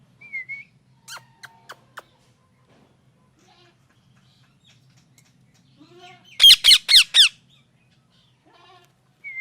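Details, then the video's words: Parrot chirping naturally: a brief thin whistle, some faint clicks, then a tight cluster of four loud, falling chirps in quick succession, with another short whistle at the end. "natural mithu chirping sound|| parrot chirping"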